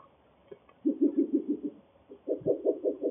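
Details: Spectacled Owls, a breeding pair in Costa Rica's Guanacaste conservation area, give a duet: two bursts of quick, low, throbbing hoots, the first of about six notes, the second a louder run of five after a short pause.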